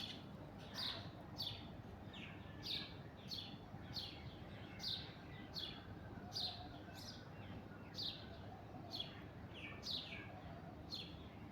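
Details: Alexandrine parakeet in an orange tree calling repeatedly: a long series of rasping, scratchy screeches spaced roughly half a second to a second apart, with a steady low rumble underneath.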